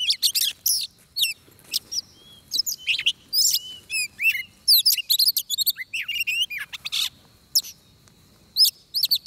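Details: Oriental magpie-robin singing during trapping, fighting-song style: a long, lively stream of varied sharp chirps, slurs and brief whistles, with short breaks and a final burst of notes.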